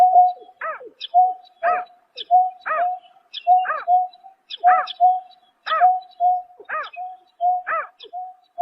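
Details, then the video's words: Greater painted-snipe calling at night in March 2024, a dense series of paired sounds: a bright arched note and a flat hollow hoot, repeating steadily about once a second. "Tiếng Chim Nhát Hoa Đánh Đêm Vụ Tháng 3 Năm 2024"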